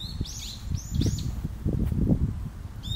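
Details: Long-eared owls, parent and young, on Tsushima: loud, high squeaky whistles sliding down in quick succession, then a fresh rising squeal at the end, over rustling and low thumping noise.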